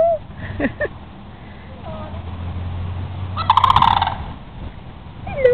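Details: At Holiday Park in Palm Bay, Florida, a returning sandhill crane pair dances; a single strong, trilling, rolling rattle rings out midway, with scattered faint whistled sweeps and low background hum around it.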